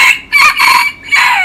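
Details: Young rooster of a native Mae Hong Son game-fowl breed gives a brief, hoarse, unfinished crow in three rough bursts, the last sliding downward; he does not crow much yet.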